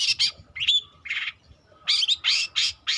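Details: Young long-tailed shrike learning to sing, here giving harsh, scratchy squawking notes, some paired, with one brief whistled slur and short gaps between bursts.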